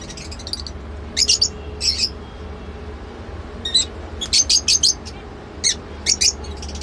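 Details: Lovebird giving shrill, high chirps in short clustered bursts of three to four notes, separated by pauses of about a second, over a low steady background hum.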